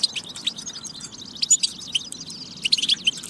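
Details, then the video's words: Batba recording of European goldfinch song to stimulate singing: thin buzzy trills and twitters, rising to a few louder tinkling notes toward the end. "بتبة فتاكة لتحفيز الحسون على التغريد والجهوزية"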